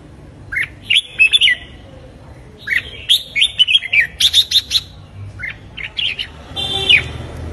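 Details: Red-whiskered bulbul in morning training sings repeated lively phrases of warbling, slurred whistles mixed with rapid sharp ticking notes, bursts separated by short gaps; a faint buzzy tone appears near the end.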